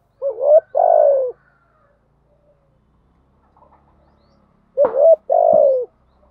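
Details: Spotted dove used as a lure, thúc gù and gáy gọi call styles: two loud phrases, each a curved rising coo followed by a long rough croo, with near silence and faint murmurs between them.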